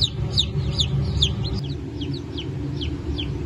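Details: Brahma chicks from a new hatch of 1 May 2024, alongside Modled and Wyandotte chicks. Sharp descending cheeps, about two per second, with a short pause midway, against a persistent low machine-like hum.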